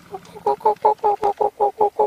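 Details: Yellow-billed Hornbill perched high in a tree on an August 4, 2016 safari morning, warming itself in the sun before feeding on termites. Even run of about ten hollow, low clucking notes, roughly five per second, steady in pitch and spacing.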